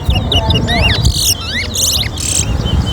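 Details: Red-whiskered bulbuls singing in a bird singing competition at Tarla Dam trade quick, bright whistled phrases that rise and fall, broken by harsh buzzy bursts, over crowd murmur and a man counting aloud.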